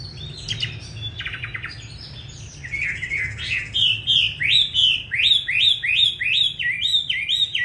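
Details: A Chinese hwamei, the 'lá vả' type from Vietnam, opens with buzzy, clicking notes, then settles into a loud series of ringing whistled phrases repeated at a steady, rapid pace.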